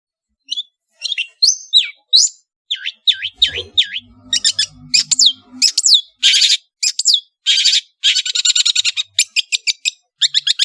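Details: Long-tailed shrike from Madura in full, varied master song: quick high chirps, sharp downslurred whistles and harsh broadband bursts that speed into dense rattling volleys, with faint low hum beneath.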